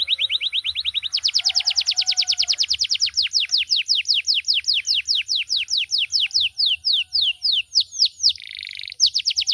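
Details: Canary in full song, a loud, varied, melodious bird used as a model for other birds: long rapid trills that speed up, then slow into sweeping downslurred notes, a short buzzy burst, then trilling again.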